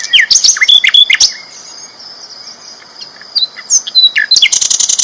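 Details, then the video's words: Chatty, loud flycatcher recorded as tutoring material for contest birds: a string of sharp slurred chips and short whistles, a quiet gap, then more slurs ending in a fast rattling trill. "BURUNG SIKATAN LONDO GACOR ISTIMEWA KERAS LANTANG"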